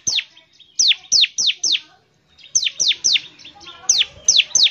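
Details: Vigorous bar-winged prinia song for getting other birds singing: groups of three to five sharp, descending high chirps separated by brief silences.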